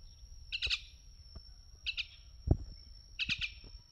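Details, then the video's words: Common myna gives three short bursts of harsh, clustered chattering notes about a second and a half apart, with low thumps and a faint steady whine behind. "Speak With Common Myna Bird"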